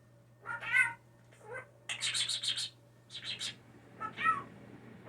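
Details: Young blue jay kept indoors since falling from the nest, a mimic of speech and sneezes, alternates harsh nasal calls with quick bursts of rapid, clipped high notes, soft hum in the background.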